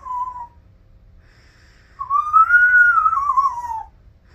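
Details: A 9-year-old talking African grey parrot gives a short clear whistle, then a longer pure whistle that rises and slowly falls over about two seconds; otherwise quiet.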